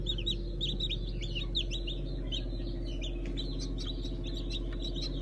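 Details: Chorus of newly hatched Brahma, Fizan and Habeş chicks from June 2019, giving shrill, quick descending peeps in irregular bursts, with a constant low droning hum underneath.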